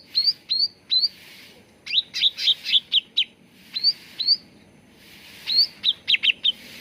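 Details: Cucak ranting bulbul lure song for making birds sing: upswept whistles in threes alternate with rapid bursts of rough, buzzy chattering notes, background soft and steady.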